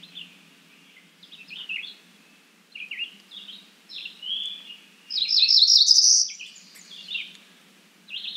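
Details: Cerulean warbler calling: short high chirped notes spaced through the recording, then a loud rising buzzy trill that peaks very high, followed by more scattered chirps; steady low background hum.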